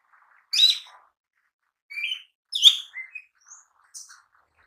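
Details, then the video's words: Lesser green leafbird (cucak ijo mini) singing vigorously as lure and tutor material: spaced single phrases, first a loud ringing note, then upslurred whistles and a strong burst, fading into soft short chirps. "Pancingan Cucak Ijo Mini Bunyi Gacor Bongkar Materi Harian"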